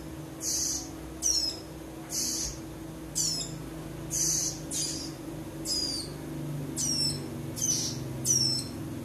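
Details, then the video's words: Prinia chicks, compared for male and female voice differences, keep up a rapid series of high chirps: breathy harsh blasts mixed with short downward-sweeping notes, about one per second, over low background hum. "Perbedaan Suara Piyik Ciblek Rowo"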